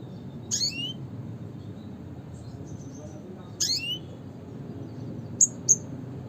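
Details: Classic calls of a red siskin (Spinus cucullatus): two high, downward-slurred notes about three seconds apart, then a pair of short, thin, piercing chips near the end against a low background hum.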